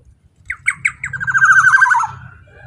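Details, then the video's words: Loud, powerful voice of a black-naped oriole (kepodang emas), played to lure or train other orioles: a few clipped nasal notes lead into a drawn-out, grating, slightly descending buzz, with a low hum underneath. "suara KEPODANG GACOR super KERAS LANTANG cocok untuk pancingan kepodang emas"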